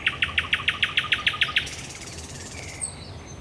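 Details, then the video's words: Nocturnal thrush nightingale song from Raszyn Ponds, Poland, 10 May 2021: a rapid, very regular string of about eleven loud clicking notes, then a soft rattle and a thin high whistle. "Nocny śpiew słowika rdzawego"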